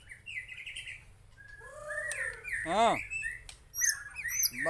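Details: Aceh white-rumped shama: a wavering whistle, arched harmonic notes, a harsh zigzag rasping note, then high chips and quick slurred phrases, the song mixing sweet and grating sounds.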